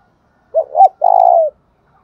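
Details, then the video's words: Spotted dove lure call of the thúc bổi kind, meant to provoke another dove: one phrase of two brief curved notes and a longer, vibrating coo that drops slightly as it fades, with faint clicks in the background. "tiếng cu gáy thúc bổi"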